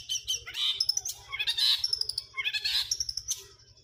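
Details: Long-tailed shrike giving its 'greja kuntilanak' song material: harsh squawks and scratchy, tumbling high phrases broken by short twittered runs and clipped chips, with a constant low hum beneath.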